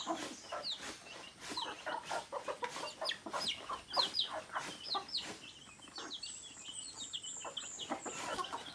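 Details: Native chickens, roosters and hens together, giving a busy mix of short clucks and sharp chirps that overlap with no clear rhythm, while higher bird chirps sound in the background.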